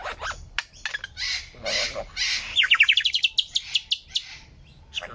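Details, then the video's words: Lyrebird delivering scratchy chatter that turns into a rapid accelerating series of sharp, rising chip notes, roughly four per second. "Lyrebird sound"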